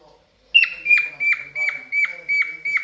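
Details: Courting pet cockatiel: after a beat of quiet, a bright whistle starts the song and then drops into evenly spaced, falling chirps, roughly three each second.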